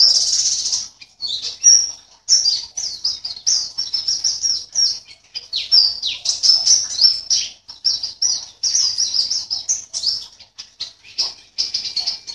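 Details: Long, unbroken high-pitched twittering song from a caged white-eye entered in an online singing competition from Sambas, West Kalimantan; rapid chirps and trills tumble together with hardly a gap.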